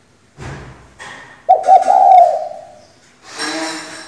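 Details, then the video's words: Decoy female spotted dove, used to stir males into singing, utters a single throaty, quavering coo lasting over a second, framed by rustling, clattering noises before and after. "Cu gáy mái mồi căng đét thúc bổi mở mỏ ngay!"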